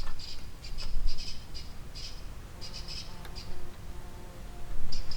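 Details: Common kestrel calling in a remote slate quarry in Wales, captured by a hidden drop rig: sharp, high, rapidly repeated 'kee-kee' notes in short bursts over a steady low rumble of wind.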